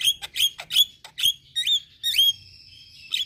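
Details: Lure for starlings including Javan myna, black-winged myna and Nias hill myna: quick harsh notes with rising whistled tails, about two per second, ending in one long steady whistle.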